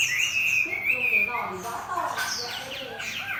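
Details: Hwamei in a contest beside a fighting bird, opening with a sustained bright whistle that breaks into rapid varied phrases and high descending notes.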